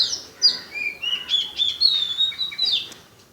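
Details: Unidentified bird recorded at Paripally, Meenambalam in Kerala, producing a varied run of clear whistles, some sliding down and others rising, delivered in quick succession over a quiet background.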